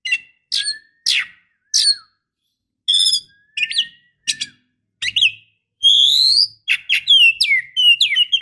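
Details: Female oriental magpie-robin calling a male, giving sharp descending chirps, buzzy harmonic notes and longer rising whistles, quickening toward the end, with a faint low hum beneath.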